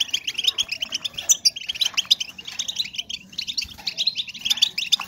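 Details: Female European goldfinches twittering to raise breeding drive in males: fast, bright chirps in dense overlapping runs, a short lull midway, then more twittering, over a faint low hum.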